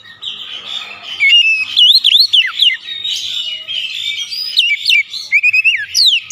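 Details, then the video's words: Oriental magpie-robin song played to coax a quiet bird into singing: a continuous varied stream of bright whistles, looping slurs and quick trills with hardly a pause. "PANCING KACER MALAS BUNYI"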